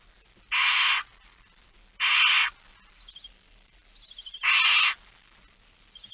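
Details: Barn owls in a nest box at night, 13 September 2019: three loud raspy hisses about half a second each, interspersed with soft, rapid, twittering ticks and thin chirps from the box.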